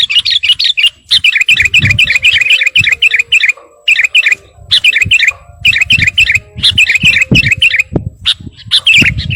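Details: Vigorous Sooty-headed bulbul song to call a rival, long strings of fast, bubbly, undulating whistled notes with brief breaks and sharp chattering bursts; low thumping sounds in the background.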